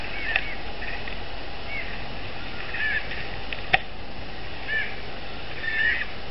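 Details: Bald eagles at the Dale Hollow nest after the first egg was laid, with a fish brought to the female: short, high chittering squeals in scattered bursts over a steady low rumble, with one sharp click midway.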